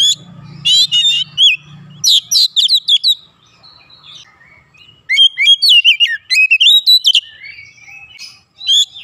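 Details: Oriental magpie-robin song used as a lure to provoke an agitated bird into singing its full repertoire: clusters of sharp, varied whistles and chattering notes in bursts, with a brief low hum early on.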